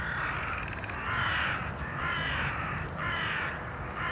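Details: Hooded crow (Corvus cornix) in Tivoli landscape park, Ljubljana, on 15 December 2022, giving harsh, drawn-out caws about one a second, each hoarse and slightly falling, over a low rumble of background noise.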